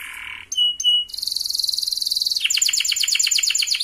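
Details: Canary lure song for young birds: a low steady whistle, two sharp downslurred chips, then a dense high buzzy roll followed by a rapid series of bright pulsed notes, about ten per second.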